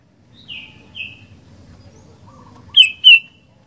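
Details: Sooty-headed bulbul singing actively: two soft descending whistled notes, a low brief warble, then two loud, sharp, falling notes close together near the end, over a faint low hum.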